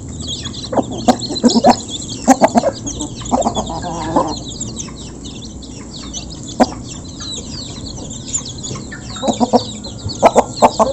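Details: Flock of local chickens eating as feed is given, taken close up; clusters of sharp clucks and brief squawks come in bursts with quieter stretches between, low background hum throughout.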